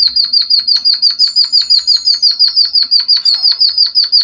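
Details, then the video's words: Java sparrow song used to imitate canaries for training and stimulating other birds: a fast string of bright chipping notes, about three per second, with a long thin whistle laid over the middle. "Suara burung pipit bondol haji emprit kaji gacor"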